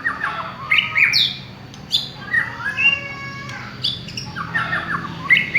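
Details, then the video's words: Lure song of a village white-rumped shama: bright, pure whistles, a few long sustained notes and swooping downslurs, with scattered sharp clicks between phrases. "Pancingan suara burung murai batu kampung"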